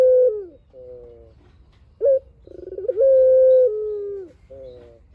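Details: Long-phrased song of a puter dove: sustained coo with a falling end, a softer coo, a sharp brief note, then a stuttering roll leading into a held level coo and a descending tail.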